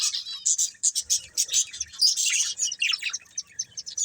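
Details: Pet budgerigar breeding pair chattering in quick bursts of bright, high chirps and warbles, some notes rising and buzzy, tumbling over each other with brief dips between.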